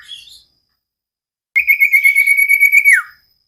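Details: Caged common iora song used as training material: a brief chirp, a pause, then a fast pulsed trill on a steady pitch lasting about one and a half seconds that drops sharply at the end.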